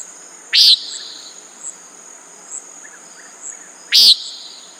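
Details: A pair of loud, buzzy nasal notes from a common nighthawk about three and a half seconds apart, with faint chirps and a steady insect whine between them.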